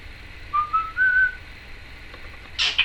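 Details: Pet female Timneh African grey parrot chattering indoors: a short series of pure rising whistles, then a harsh buzzy burst near the end, with a faint room background.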